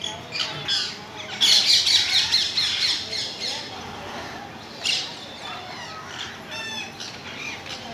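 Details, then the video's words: Loud, harsh parrot squawks, a long raspy burst early on followed by shorter screechy calls at uneven intervals. "parrot sound"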